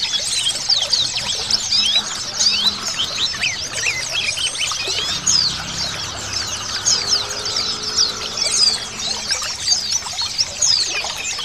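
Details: A dense chorus of many white-eyes sings high, rapid twittering phrases and thin chirps, layered continuously over a faint low hum; offered as a lure including female calls to excite males.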